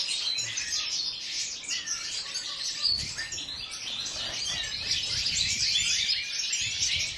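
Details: Aviary-housed European goldfinches give nonstop overlapping song, fast high chirps and buzzy trills tumbling over each other, with faint low thumps in the background.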